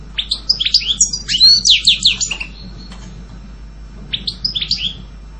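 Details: European goldfinch singing a quick, tinkling twitter of high chirps and slurred notes in a dense phrase. After a pause, a shorter burst of similar twittering notes follows, with a low steady hum underneath.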